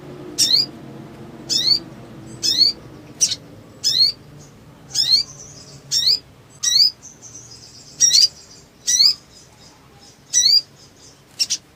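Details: Energetic Black sunbird (sogon) with wing-fluttering, kept as a lure for birds gone quiet; a long run of piercing high chirps with rising-falling twists, given steadily about once per second, some faint thin notes in between.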